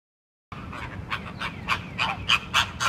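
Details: American flamingos (Phoenicopterus ruber) give harsh, nasal, goose-like honks in quick succession, roughly three a second, over a low steady rumble.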